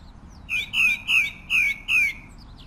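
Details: Pale-breasted thrush (Turdus leucomelas) singing: five clear, whistled, down-slurred notes, each about a quarter second long and repeated roughly every 0.4 seconds, over a quiet low hum.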